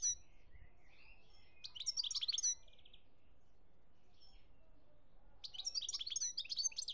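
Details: European goldfinch song recorded in Algeria in 2017: two dense bursts of high, liquid twittering and rapid trilled notes, separated by a few seconds of near silence with faint low background noise.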